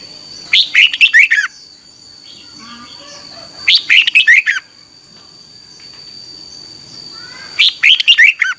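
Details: Red-whiskered bulbul in morning training song, kept for calling up other birds: three loud bursts of rapid, warbled, slurred notes about every three seconds, with soft fainter twitters between and a steady high hum.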